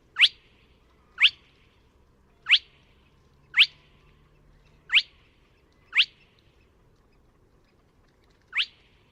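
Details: Spotted crake recorded at Neda, A Coruña, on 24 March 2017: seven sharp, rising whiplash whistles, each about a second apart, with a longer pause before the last, over a faint low background hum.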